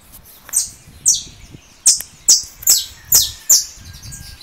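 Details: Saffron finch, russo variety, leaving its moult and singing against another bird's song: seven or so piercing, descending chirps in an uneven series, with a soft low rumble underneath.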